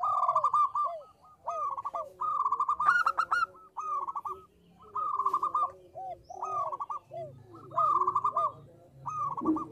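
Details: Local zebra dove (perkutut lokal) in full song, used as a lure call: soft rapid trilled coos in bursts roughly every second, each a buzzy stuttering phrase with lower curved notes between, several doves overlapping.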